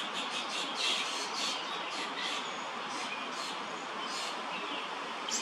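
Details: Young American robin, grown a little and now finding food by itself without its mother; sharp chirpy high calls repeated irregularly, roughly twice a second, over a steady broadband background hiss.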